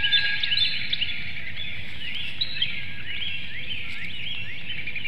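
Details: Bald eagle mother on her nest with a hatchling and an egg in Hanover, Pennsylvania, early morning, 6 April 2019, calling out to her mate. A descending series of piping, chittering notes repeats rapidly.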